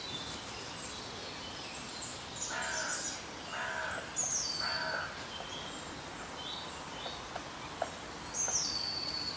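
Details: Black woodpecker at the Voßmoor bog in the Elbgeest southeast of Hamburg, May 2022. Three harsh, harmonic calls sound in a row mid-clip, with thin, high songbird chirps scattered throughout.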